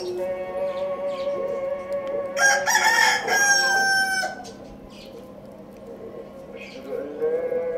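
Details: A domestic rooster crows once: a loud, harmonic, slightly hoarse crow lasting about two seconds in the middle of the recording. Softer, steady tonal sounds continue in the background before and after it.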